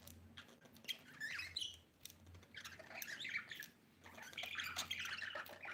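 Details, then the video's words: Pet budgerigar mother with her baby, chirping and squawking in irregular bursts of harsh warbled notes with quiet gaps between them. "budgie chirping sound"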